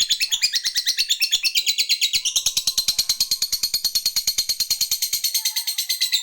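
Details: Lovebird calling a rival with a long ngekek: an unbroken, rapid, rhythmic high chattering trill lasting over six seconds, with loud even pulses and no other sounds.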